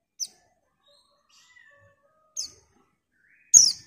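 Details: Female white-eye calling to a male: three sharp, high notes that slide quickly downward, spaced irregularly with quiet gaps; the last note is the loudest. Faint soft twitters sound in between.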